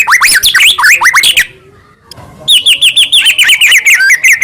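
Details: White-rumped shama, a caged Medan bird, singing to make other shamas sing and get angry: rapid rising whistles, a short pause, then a long quick series of ringing repeated notes.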